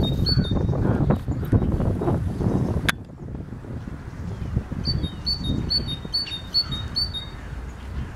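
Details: Great tit delivering a run of about six ringing two-note phrases, high then slightly lower, evenly spaced in the second half after a stretch of low rumbling background noise.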